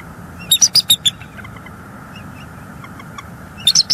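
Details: Wild bald eagle pair at their Northeast Florida nest, night of 5 January 2022, one perched while the other incubates eggs before they swap; quick series of five high, sharp chirping whistles, a pause, then three more rapid notes.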